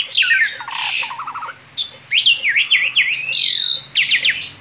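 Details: Male Asian pied starling singing a continuous rolling song outside its cage: a varied stream of high whistles, sharp upward and downward slurs and harsh squawky notes run together without pause.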